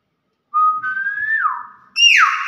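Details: A kept Nias hill myna whistles a long pure note that steps up, holds and glides down, then gives a second louder note that starts high and falls steeply.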